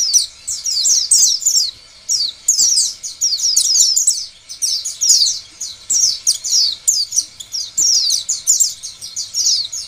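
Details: An Oriental white-eye sings a rapid, high, twittering song of tumbling sweet chirps in bursts of about a second, almost without pause, used as a lure to make other white-eyes sing.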